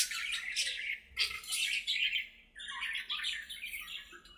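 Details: Several budgerigars talking to each other while playing in their aviary: continuous harsh, buzzy warbling with overlapping scratchy notes that break into shifting pitch steps.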